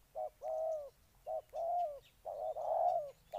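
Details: Low, rounded cooing of a spotted dove from Ninh Thuận, Vietnam: brief coo then drawn-out coo, the pair repeated about every second, the last long note swelling; quiet background.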